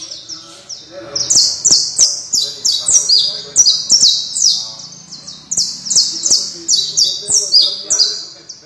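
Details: A Creole canary (Serinus canaria) sings a long, high, rapid run of bright chirps and short trills, about three phrases a second, over faint clicks and low murmurs.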